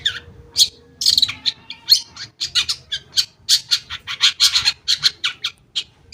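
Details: Harsh, squawking chatter from a long-tailed shrike, used as a lure to get silent shrikes singing, with rough grating notes repeated several times a second in a steady, scolding run.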